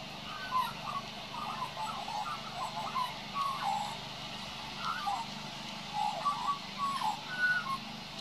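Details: A young male Australian magpie, recorded on 26 June 2016 while practising his song, sings a soft, rambling string of short warbled and fluted notes, mid-pitched and uneven, over a steady low rumble like distant traffic.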